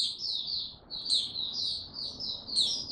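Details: Mata Puteh (white-eye) singing slowly and steadily before fully opening up, 6 March 2022: a run of high, slurred, sweet notes with occasional sharp upward squeaks, steady low hum in the background.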